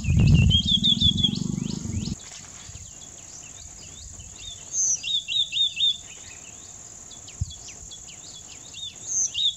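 White-naped tit giving quick runs of high, sharp chirped and whistled notes in short bursts, over a steady high insect-like hiss; low rumbling noise at the start.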